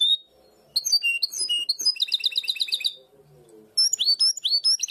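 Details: Goldfinch hybrid performing the herrerillo-style primaveras song prized in Barcelona, quick chattering notes building into a fast, even trill, then a short gap before bright twittering resumes.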